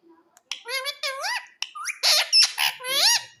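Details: Pet rose-ringed (Indian ringneck) parakeet at home gives harsh, rasping squawks and chattering notes, some rising and sliding, in quick irregular bursts indoors.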